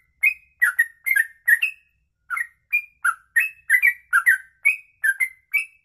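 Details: Sooty-headed bulbul giving a long ropelan-style song: rapid bubbly, liquid whistled phrases of two or three notes, rising and falling, repeated roughly every third of a second with a brief pause, against clean silence.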